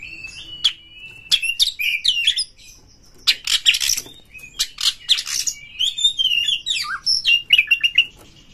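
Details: Caged white-rumped shama roused to fight a rival, delivering loud varied song: whistled slides mixed with sharp clicks, harsh rasping bursts and rapid warbled notes in quick succession.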